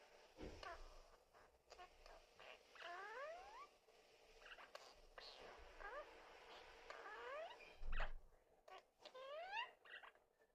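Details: Pet lineolated parakeet talking indoors, mixing words together so the endings come out cute: a run of rising and falling whistled, wavering syllables in short phrases, with soft background thumps and room noise.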